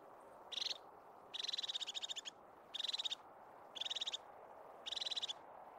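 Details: Scottish Highland pinewood crested tit with a string of purring trills: a brief burst, a longer one near one second, then four more short rapid rattles in close succession.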